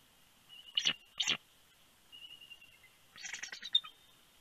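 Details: Nesting bald eagle pair at Big Bear, California, at the last nest shift change of the night on 28 January 2020, the male calling his mate in: two sharp chirps, then a rapid chittering series.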